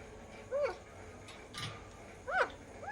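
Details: Alexandrine parakeet eating ice cream for the first time, giving two or three short, hoarse, arched squawks separated by a pause, with a faint rustle between them.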